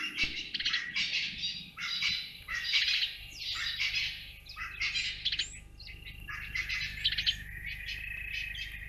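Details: Grey go-away-bird at Naledi Dam, Africa, giving a run of harsh, nasal, scratchy bursts about twice a second, ending in a steadier, drawn-out bleating note.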